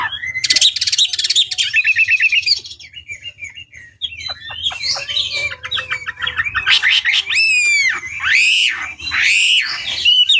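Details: Chinese hwamei lure song: dense buzzy bursts, a scattering of short quieter chips, then several loud arching whistles swept up and down, each about half a second apart.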